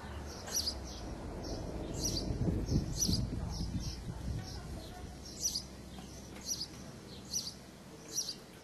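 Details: Singing sparrow with bright, high chirps in quick irregular bursts. A low rumbling noise fills the first half, then the chirping continues over quieter background hiss.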